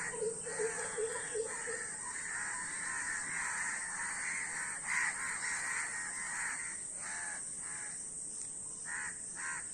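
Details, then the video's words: Many crows calling together: harsh, nasal caws overlap in a dense, uneven chorus, with short bursts in quick succession throughout. A steady high hiss runs under the whole recording. "কাকের ভিডিও ও কাকের ডাক"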